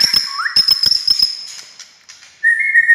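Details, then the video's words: Murai batu, the white-rumped shama, singing to provoke other shamas to reply: rapid clicking ticks under a high sustained whistle, a short upward slur, then a flat whistled note. "SUARA kicau MURAI INI Buat semua jenis murai gacor,buat Murai DIAM Langsung NYAUT"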